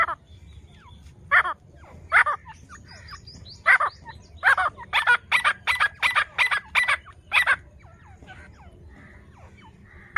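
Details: Francolin calling: loud, harsh, broadband notes in a fast series, several bursts packed about every half second mid-clip, then thinning out. Faint thin chirps and low rumble sit beneath.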